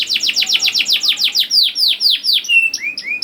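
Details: Canary lure song for young canaries; a rhythmic string of clear downward-slurred notes, about four per second, shifting into longer sweeps and short flat whistles.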